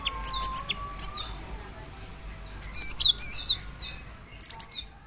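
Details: Calls of a female cinereous tit summoning a male: rapid triplets of piercing high chirps, then a louder dense cluster, then another short run of bright notes, with faint lower bird sounds behind.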